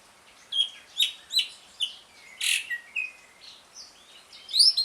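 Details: Asian pied starling in ngriwik style, used as a lure for starlings that have stopped singing: sharp high chirps and short whistled notes spaced irregularly, a loud burst near the middle, and a rising squeaky phrase at the end.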